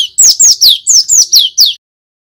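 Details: Lure recording of a male cinereous tit used to coax other birds into singing ngeriwik and ngerol styles: seven sharp, descending whistled notes delivered rapidly and evenly, then silence.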